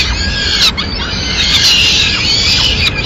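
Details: Peregrine falcon family in Madrid, 29 April 2016, with the mother bringing food to the chicks; a continuous high, wavering screech with bright harmonics, broken by a few sharp knocks.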